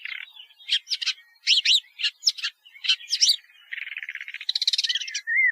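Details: Woodchat shrike song: varied scratchy chattering phrases of quick high whistled and buzzy notes, a dry rattling trill near the end and a final short rising whistle.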